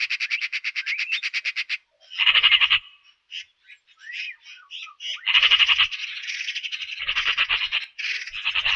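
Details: Eurasian magpie giving a long, dry machine-gun rattle of evenly spaced harsh pulses for nearly two seconds, followed by louder grating bursts and scattered squawky, scratchy notes against a quiet background.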